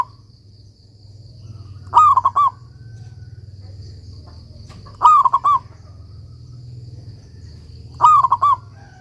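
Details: Local zebra dove singing as a master for training other doves: three rolling, stuttered coo phrases spaced about three seconds apart over a continuous low hum.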